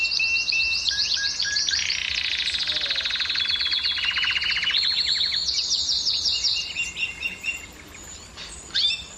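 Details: ['Canary singing to stimulate hens to breed, a rapid high trill sliding into a broad buzzy rolling tour, then a brighter trill, ending with scattered sharp chips and brief pauses.']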